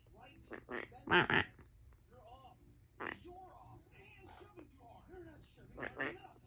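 A Quaker parrot chatters in speech-like mimicry, broken by a few loud, harsh squawks.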